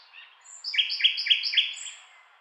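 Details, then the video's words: Singing nightingale delivering a short phrase of four loud, evenly spaced repeated notes, each a sharp upward-swept whistle, with a faint thin high note before and after; otherwise quiet. "Nightingale Singing Sound Effect"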